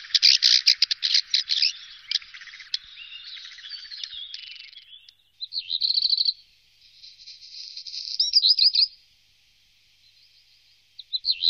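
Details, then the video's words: Black redstart singing in the Wittlich valley, Germany, 2018: high rattling trills, a scratchy crackling middle section and fast clipped phrases, bursts separated by short pauses, no other sounds. "Hausrotschwanz 1"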